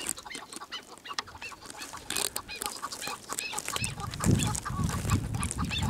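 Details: Chukar partridge giving a rapid series of harsh clucking notes, roughly two per second, with a low rumbling background noise growing stronger in the second half.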